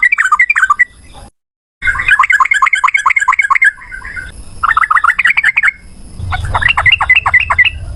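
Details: Yellow-vented bulbul giving a long, rapid fighting song: dense bursts of quick chirping, bubbly notes repeated in runs of one to two seconds, separated by brief pauses, with faint low hum.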